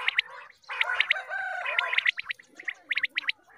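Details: A group of quail gives morning calls used for hunting: sharp, clipped notes in quick pairs and triplets over a gurgling, churring undertone, with short pauses between bursts.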